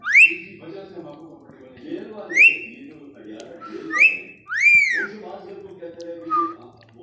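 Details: Rose-ringed parakeet known as a talking ringneck, repeating short upswept whistles about every two seconds, four clear notes with ringing overtones, the last longer and arched, while a person talks quietly nearby indoors.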